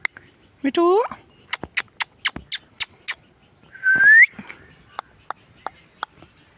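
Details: Indian ringneck parrot talking and making sounds: a short harmonic, voice-like rising utterance, then a loud upward-sliding whistle, with tapping clicks in between.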